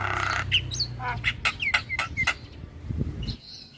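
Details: Lure bird's starling song, used as therapy for starlings that stopped singing: a quick series of clicks and short downslurred whistles about four per second, then a softer whistle, over a low rumble.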